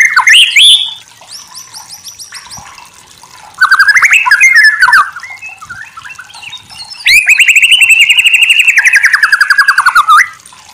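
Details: White-rumped shama (murai batu) in a masteran recording: loud bursts of varied whistled phrases, falling slurred notes and fast rattling trills, separated by quieter gaps with faint background chirping.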